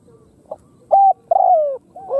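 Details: Khmer spotted dove cooing: a soft short coo, then a loud level coo, a long loud coo sliding downward, and the start of another rising coo, over a faint low background murmur.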